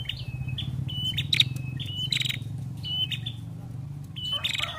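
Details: Female ashy prinia in full voice, giving clipped whistles that drop to a flat tone and harsh buzzy rattles roughly every second, with a low engine-like rumble beneath.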